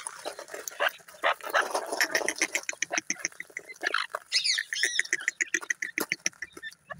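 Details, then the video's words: Francolin, locally called teetar: rapid dry clucking pulses repeated about twice a second, with a brief burst of thin, sharply rising and falling chirped notes midway, then more irregular clicks to the end. "teetar awaaz"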